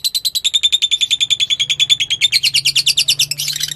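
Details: Lovebird fighter lure song for prompting another lovebird: a steady string of rapid, buzzy high notes that slowly drop in pitch, ending in a burst of scratchy chatter, over a faint low hum.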